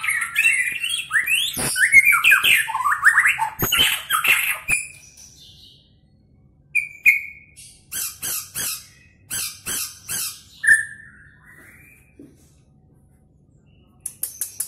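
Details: White-rumped shama of Medan stock, groomed for the 2019 President Cup, with mimicry of cililin, canary and lovebird: a rich rush of whistles and trills, then spaced sharp chips and two brief whistled notes separated by silence.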